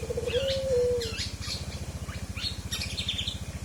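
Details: Forest oriole song for isian training: a few quick stuttered notes lead into one smooth, low drawn-out whistle that slides downward, then scattered high chirps from other birds over a constant throbbing motor hum.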